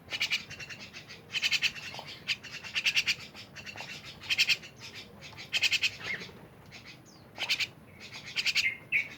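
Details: A lively gathering of mynas gives harsh, grating squawks in rapid stuttering bursts, one every second or two, mixed with short slurred whistles and clicks.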